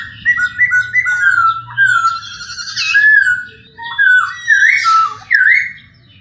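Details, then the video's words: Masked laughingthrush, kept as a cage bird, singing a flowing series of wavering whistles that swoop up and down, with brief chattering bursts and soft low hum behind. "terapi suara poksay,hongkong"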